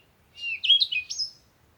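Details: One brief, fluid bird phrase of connected warbling notes, rising and falling quickly and ending on a higher thin whistle.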